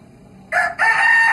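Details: Free-ranging Javanese village chicken (ayam kampung) living wild in a rural yard in Java, giving a loud, harsh crowing call in two bursts after a quiet start.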